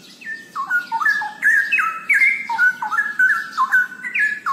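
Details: Continuous rich warbling from a straw-headed bulbul (cucak rowo): loud, fluty whistled phrases tumbling rapidly up and down the scale with no pauses, about two to three notes per second.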